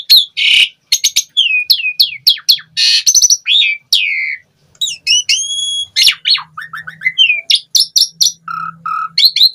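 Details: Asian pied starling in varied full song, used to prompt other starlings to sing: harsh rasps, sharp clicks, whistled downslurs and a long pure whistle, nearly continuous over almost ten seconds.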